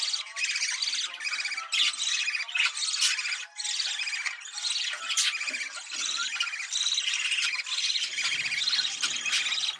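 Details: Budgerigar courtship chatter intended to encourage breeding: nearly unbroken, raspy, high-pitched warbling with clicks and sharp squeaks scattered throughout.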